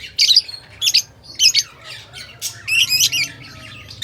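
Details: Lovebird calls: harsh, high squawks delivered in quick clusters of two or three, each burst sharp and grating, with short pauses between.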